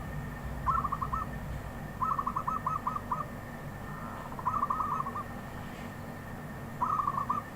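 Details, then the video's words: Song of a wild zebra dove, four stuttering coo phrases of rapid soft notes, one stretched into a longer run of separate beats, with low background rumble. "Perkutut Liar"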